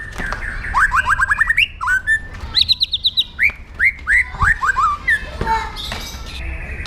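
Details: Aggressive 'pastol jahat' song of a white-rumped shama, or murai batu: quick series of rising whistled slurs, then rhythmic upward-sweeping notes repeated about twice a second, ending in a steady high whistle.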